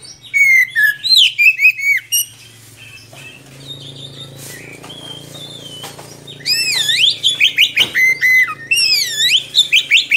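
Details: Caged Oriental magpie-robin in long continuous song, kept as a tutor for young birds: loud bursts of rising-falling whistles and rapid repeated notes, with a quieter pause midway and a faint low hum throughout.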